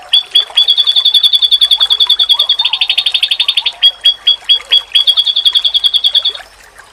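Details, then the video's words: Oriental white-eye training song, said to make other white-eyes call back. A steady stream of high, clipped notes thickens into a buzzy rattle, breaks into separate chips, then resumes as a fast even series. Faint low notes lie underneath. "Sekali Lawan denger,Pasti Burung Pleci lain Auto nyaut"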